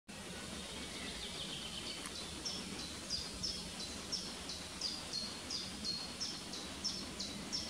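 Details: Spotted flycatcher at De Hoge Dijk, Amsterdam, Netherlands, 12 May 2019: a steady run of thin, very high, short notes, about three a second, over a constant hiss of background noise.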